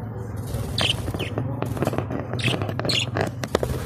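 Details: Budgerigars from Australia in blue, green, red and yellow plumage give short, scattered chirps and squeaky notes at irregular intervals, set over a steady low hum and faint background noise.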